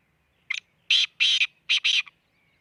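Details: Black francolin calling near Khushab: a short harsh note, then a grating phrase of four loud buzzy bursts in two pairs, all within about one and a half seconds, with a quiet background.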